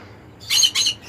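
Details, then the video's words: A conure gives two harsh, high screeches in quick succession, each about a quarter second long, with a faint low hum underneath. "Conure Bird Sounds"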